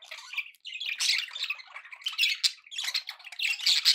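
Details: Happy pet budgerigar chatter: quick squeaky chirps and harsh squawks tumbling together in a lively, high, uneven stream.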